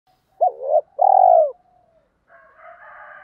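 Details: Spotted dove coo used to stir up decoy birds for training, from a recording mixing female and male voices in the native style: a short hooked note, then a longer low steady coo, followed by fainter soft murmuring.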